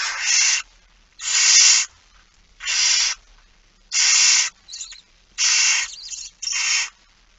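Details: Barn owls begging as they are fed at 06:57, 13 September 2019, Netherlands; six long harsh hissing screeches in fairly steady succession with a brief softer chittering note among them.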